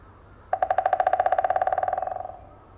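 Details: A White-backed woodpecker drums in Shiretoko National Park, Hokkaido, Japan, an advertising sound to attract females. It is a long drumroll of about thirty rapid knocks over nearly two seconds, speeding up slightly and fading at the end.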